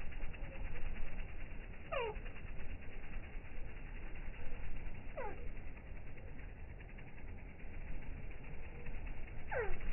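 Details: Hummingbird calls at an outdoor camping spot, slowed down: three long, downward-sliding whistles a few seconds apart, with a steady low rumble underneath.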